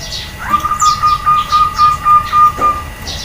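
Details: Female zebra dove calling to provoke replies from males: a fast, even string of short notes held for about two seconds, with faint higher chirps around it.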